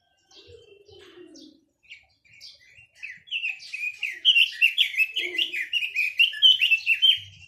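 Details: Chinese hwamei singing: after a few soft, scattered notes, a loud, fast run of rich warbled and whistled phrases builds up, notes tumbling at roughly two per second, with faint low tapping sounds in the background.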